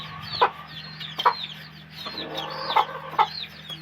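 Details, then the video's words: Chickens making a few sharp clucks spaced about half a second to a second apart, with thin, high, downward-slurred peeps weaving between them. "hen video || chickens"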